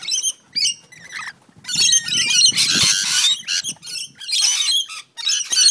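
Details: Fighting rainbow lorikeets in a backyard on the Central Coast of New South Wales: harsh, raspy screeches with a few whistled slurs, and a long grating burst partway through.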